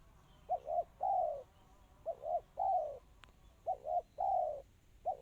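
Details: Spotted dove in the crystal, tight, fast song style. Each phrase pairs a clipped two-part coo with a drawn-out, gently descending coo, repeated steadily three times with short gaps. There is one faint click in the middle.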